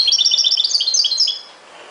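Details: European goldfinch giving a rapid run of high, bright twittering notes for over a second, then fading to quiet background.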